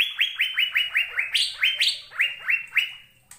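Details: Asian fairy-bluebird singing on a training recording for caged songbirds: an unbroken string of about thirteen bright, upswept whistles at a steady brisk pace, two of them pitched noticeably higher mid-phrase.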